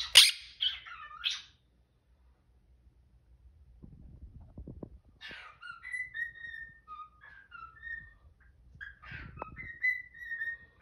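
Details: Pet cockatiel in the morning whistling the tune "If You're Happy and You Know It" while a Quaker parrot protests; harsh squawks open, then a quiet pause, then a run of clear whistled notes rising and falling, in a room.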